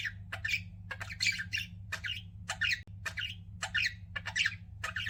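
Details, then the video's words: Pet budgies chirping: harsh, scratchy squawk-like notes in quick pairs and clusters, repeated throughout, over a low steady hum. "CUTE PET BUDGIES CHIRPING"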